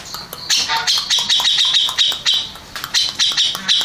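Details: Song of a Grey-cheeked bulbul that won first place in a contest: squawky, harsh phrases and rasping notes tumble out in quick succession, loud and close.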